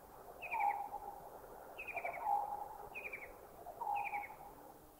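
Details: White-throated Kingfisher calling in Thailand: a short, harsh, descending trill at mid-high pitch, repeated four times about every 1.5 seconds, each time with a lower clipped note below it, over a soft noisy background.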